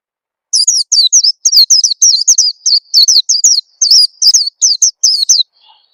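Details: Long continuous string of high, sharp, downslurred Oriental white-eye chirps, about twenty notes at a steady quick pace, played as a lure to set birds singing; otherwise quiet.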